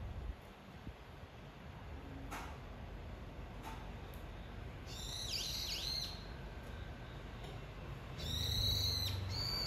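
A Brown-eared bulbul gives two bursts of loud, shrill squealing notes that dip and rise, over a steady low rumble of background noise.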